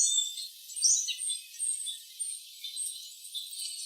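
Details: Townsend's warbler, recorded October 10, 2011 with a cat nearby, giving thin, high chips and brief sharp notes at an irregular pace, about one a second, over a faint hiss.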